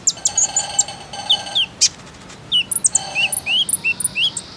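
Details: Lure recording of common iora to coax young birds into song: rapid high chirps followed by a string of short upslurred whistles, each note brief and sweet, with a faint steady tone in the background.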